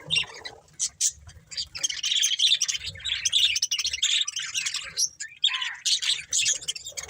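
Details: A budgerigar breeding pair chirps and warbles continuously, high scratchy notes tumbling quickly with short squawky accents, over faint low rumbles.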